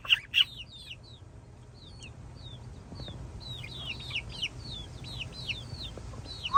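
Cockatiels chatter in quick, high, whistled chirps, opening with two sharp shrill calls and ending in a loud rising screech.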